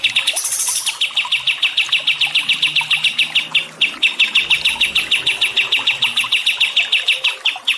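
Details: Songbird recording used as training and relaxation for stressed cage birds, with water sounds: a continuous rapid trill of sharp, evenly spaced chirps, about three per second, with a brief high hiss at the start.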